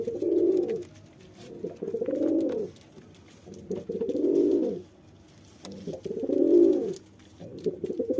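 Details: Courting male pigeon directing low, throaty coos at a female, four purring phrases spread evenly across the stretch with short pauses between, little other sound.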